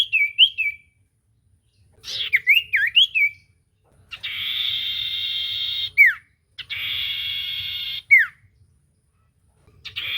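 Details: Common iora in energetic song, used as a lure to make a silent bird sing: short whistled up-and-down phrases, then long buzzy sustained trills, each ending in a sharp downward slur, with faint low hum beneath.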